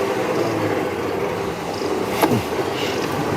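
Steady engine and road rumble from a moving vehicle, with one brief sharp click.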